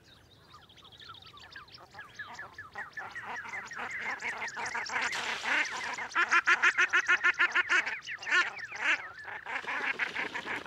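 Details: In the Orkney Islands, a common shelduck gives rapid, repeated nasal calls, several a second, building from soft to loud in a long chattering series.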